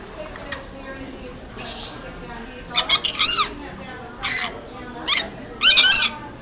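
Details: Wild parrots in Australian rainforest: short, harsh, high screeching calls in scattered bursts over a steady hiss of insects or background noise.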